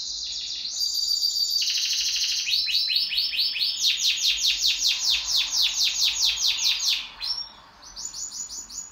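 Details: Pet canary singing in duet: bright high song with a buzzy opening, then a long run of rapid repeated rising chirps, about two per second, ending in short whistled notes after a brief pause.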